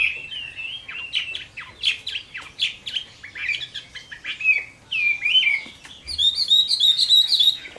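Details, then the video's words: Chinese hwamei at summer midday in fighting song, a busy mix of short whistled and scratchy notes in bursts, ending in a rapid, high, evenly repeated warble. "HỌA MI CHIẾN HÓT TRƯA HÈ"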